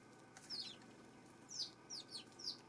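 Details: Eurasian tree sparrow recorded on September 12: five faint, high, downslurred chirps spread over under three seconds against a soft background hiss.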